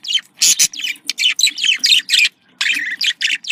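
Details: Contact call of a budgerigar, said to be happy: lively chattering of quick buzzy chirps and harsh squawks in close succession, a brief quiet gap, then more rapid warbled notes.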